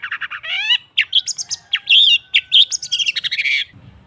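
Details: Long-tailed shrike song used as a training recording to get caged birds singing: fast varied chattering of rapid buzzy notes, harsh rasps and brief whistles, ending in quiet.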